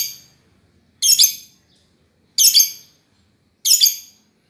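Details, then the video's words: Chirping lovebird giving loud, raspy double-peaked chirps roughly every 1.3 seconds against a quiet background. "Kicauan Burung Love Berd terkeren !!!"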